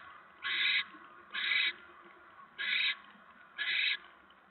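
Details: Barn owl nest at 7:50 PM on 10 November 2017 with a mouse delivered: four loud, rasping hiss-screeches in under five seconds, each about a third of a second, plus a fifth starting at the end, regularly spaced over steady low noise.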